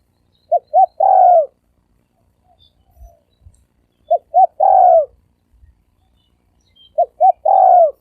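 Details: Spotted dove giving "thổ sấm đồng" style cooing, used as a lure to attract males, females and wild doves, 2020: three phrases, each two short hooted notes then a longer purring, downward-curving coo, roughly every three seconds, quiet background.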